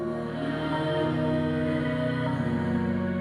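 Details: Ambient electronic music throughout, with steady layered synthesized tones and a low pulsing bass; no animal calls.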